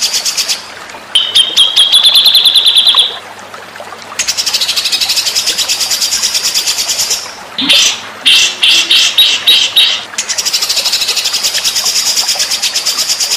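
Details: White-rumped shama song from a master recording used to train contest birds: a long thin high trill, then rapid sharp chattering notes and falling whistled phrases, closing with a steady shimmering high trill.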